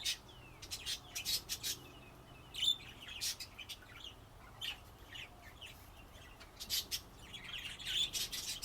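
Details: Pet budgerigars chattering throughout, with irregular high chirps and clicks, brief whistled slides and busier twittering toward the end.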